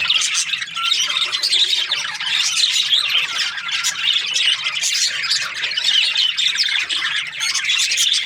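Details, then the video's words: Budgies chirping in a constant chorus of scratchy chatter, warbled twitters and harsh squawks from many birds overlapping at an even volume. "Budgies parrot chirping sounds"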